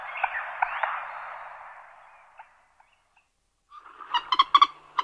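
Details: Common moorhen, typical alarm calling: after a faint hissy stretch and a silent gap comes a short rapid series of harsh, clucking kik notes, about six in under a second.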